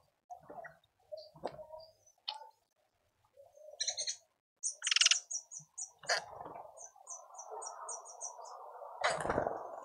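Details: Speckled mousebirds at a feeder in a suburban garden in Pretoria, South Africa, give quick runs of thin, high twittering chirps among lower, harsher notes, with sharp clicks and a steady rustling hiss in the background.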